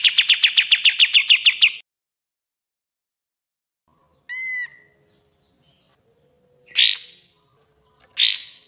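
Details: A quick burst of a dozen sharp repeated notes from a Common iora, then near silence broken by a single pure whistle and two brief upswept calls, from training master audio.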